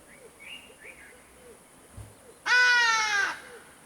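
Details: A Hadeda Ibis in Kruger National Park, South Africa (Pafuri to Tsendze), gives one loud, harsh, nasal cawing blast lasting under a second, with faint repeated chirps from other birds in the background.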